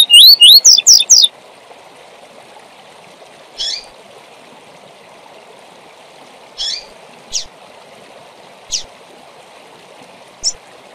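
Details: Double-collared seedeater tui tui zel zel song, used to train young birds: a quick burst of rising whistled notes at the start, then scattered short buzzy chips over a steady hiss.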